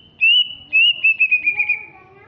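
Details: Greater green leafbird from Alas Purwo, Banyuwangi, East Java, a large, fierce-looking bird; two long sustained whistles, then a quick series of five short descending whistled notes, ending with fainter lower tones.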